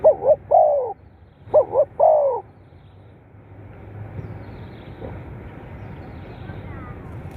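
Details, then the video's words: Captive-stimulating playback of a spotted dove: two coo phrases, each two quick notes and a drawn-out falling coo, in the first two and a half seconds, then only low background hum. "เสียงนกเขาใหญ่ เปิดกระตุ้นนกชำ ขึ้นไว"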